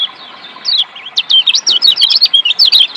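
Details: Lombok white-eye singing as therapy for lazy birds: a dense, rapid string of high sharp chirps and zigzag whistles, steady and energetic throughout.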